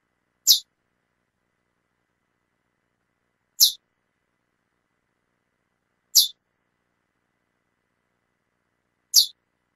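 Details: Calling female chestnut-bellied seed finch gives four brief, high, sharp chips at a steady pace of about one every three seconds. No other sounds are heard.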